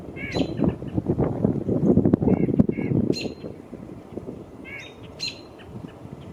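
White-breasted Nuthatch giving short, nasal, laughing notes in scattered bursts, partly over a man's voice talking.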